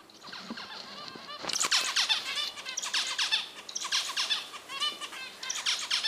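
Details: Pet finches active in the nest, giving dense, rapid chattering calls in overlapping bursts; sharp, buzzy, squeaky notes follow one another almost continuously after a quieter first second.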